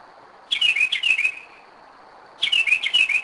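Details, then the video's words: Kennesaw, Georgia, 2011, 2am: a Northern mockingbird that comes back to the same spot each year sings two bursts of chattering, downward-slurred high notes, with a pause between. "Mockingbird 2am 2011"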